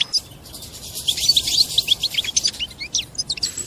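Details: High, rapid goldfinch twitter: a string of short bright notes, about three per second, with scratchy trills after. It is the European goldfinch's bitbita mating song, after which the female is said to adopt a mating posture.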